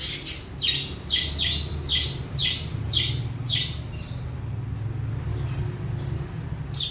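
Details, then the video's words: Long-tailed shrike singing actively: a run of about eight short, harsh, buzzy chirps repeated roughly every half second for four seconds, then quiet, with a steady low rumble underneath. "cendet gacor jalan lapangan"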